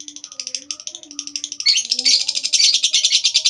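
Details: A lovebird's extended ngekek, used as a lure for other lovebirds: a fast stuttering high chatter that grows louder and denser halfway through into a harsh, unbroken trill, with a faint low drone underneath.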